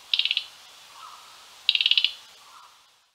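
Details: A Mugimaki flycatcher gives two quick, high chattering bursts of five to eight dry notes, about a second and a half apart, with insects and faint lower calls of other birds in the background.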